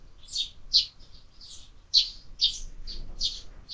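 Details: Several sparrows at a window-mounted feeder used for year-round bird feeding; a brief run of loud, slightly harsh chirps, roughly two per second, with uneven spacing.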